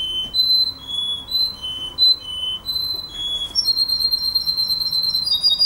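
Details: A purebred male canary, described as Russian, sings clear, steady whistled notes, each held about half a second, then breaks into a faster high rolling trill.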